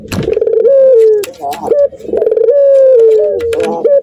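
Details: Breeding male Barbary dove cooing on seeing a female. Low, hollow coos are stretched out and dip slightly at their ends, with short soft notes between them, repeated about every two seconds.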